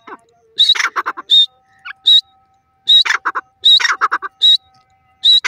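A francolin calls in loud, harsh, ringing phrases of several clipped notes, repeated roughly every second and a half, with quiet gaps between.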